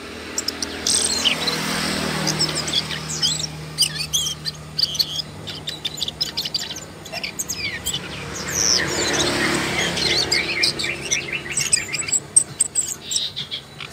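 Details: Asian brown flycatcher (Muscicapa dauurica) calling: thin, high chirps and ticks come in quick, irregular bursts throughout, over a low steady hum.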